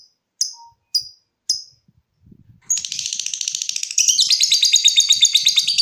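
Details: Three spaced sharp lovebird ticks give way to a quick pulsing trill that grows louder and denser, the ngetik leading into ngekek.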